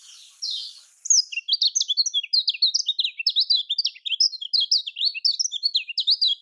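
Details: Lemon-bellied white-eye (kecial kuning) in the Lombok style, played to spur other birds into singing: a rapid, continuous chatter of high, twisting chirps and short slurred whistles, packed several notes per second, after a brief hiss at the start.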